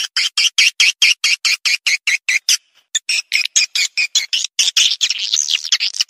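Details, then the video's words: Swiftlet call for attracting swiftlets: regularly pulsed, buzzy chirps in a quick even series, a short break, then faster, denser twittering. "Panggil burung walet suara"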